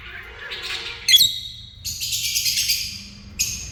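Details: Lovebirds at a dinner table calling with sharp high chirps and a longer raspy, buzzy squawk, followed by a brief final chirp, over a quiet background.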